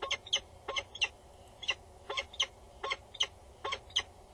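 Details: Loud female peregrine falcon calling and bowing above a nest box on a Dutch tower, male close by, 22 August 2019 at midmorning; rasping paired notes repeated at an irregular, rapid pace against low background hum.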